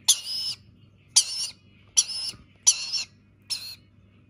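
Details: Rainbow lorikeet chick at feeding time, begging with five loud, harsh, raspy squawks, each about a third to half a second long, coming roughly every second over a steady low hum.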